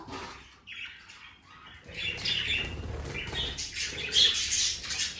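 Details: Budgerigars: a short quiet start, then a burst of overlapping chirps, squawks and warbled notes from several birds, growing louder toward the end.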